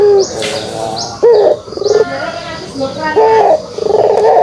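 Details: Pelung turtle dove with short, broken kugeruk coos and rising upslurred notes, mixed with frequent thin high chirps from small birds.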